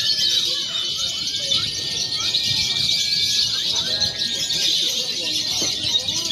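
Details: Simulated free-action lovebird competition, konslet, fighter and paud together, meant as training: shrill continuous chatter with a long level whistle early on and quick slurred chirps scattered through.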